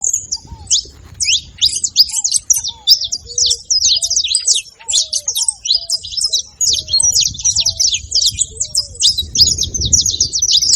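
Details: Saffron finch making noise: dense, rapid high chirps and buzzy twittering run almost nonstop, with soft low whistled slurs repeating underneath and a faint rumble of background noise.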